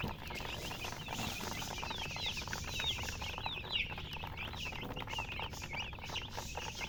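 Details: Colored chickens, called murgi hen, chirping: a dense overlapping chorus of short, high, rapidly repeated peeps, with steady low background rumble and some scattered rustling.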